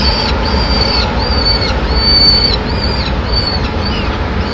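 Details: Lone peregrine falcon chick on a Madrid nest ledge, 25 May 2016, begging while the female brings a pigeon; repeated drawn-out high whines, each slightly arched then falling at the end, about one per second, against loud constant low urban rumble.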